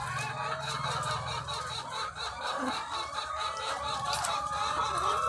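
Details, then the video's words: Egg-laying hens by the thousands on a farm, their overlapping clucking and squawks forming a busy wall of sound over a low mechanical drone that fades after the first two seconds. "The Sound of Thousands of Egg-Laying Chickens"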